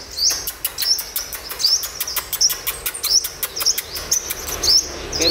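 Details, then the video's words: Wild-caught olive-backed sunbird being tamed during the morning, giving thin, high, rising chirps repeated roughly twice a second, with faint clicks and a man talking quietly underneath. "THU PHỤC THÀNH CÔNG CHIM HÚT MẬT 5M BỔI VIP HẾT BUỔI SÁNG"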